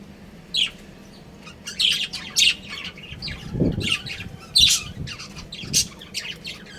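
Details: Pet budgerigars, a breeding pair kept at home, giving short bright chirps and squawky notes in scattered bursts, with a low thud and faint rustling in the background.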